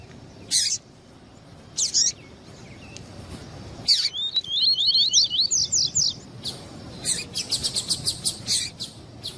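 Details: Male and female double-collared seedeater calling to stir up a male for tournaments; scattered sharp chips, a quick run of high twisting whistles, then a fast stuttering burst of clicks.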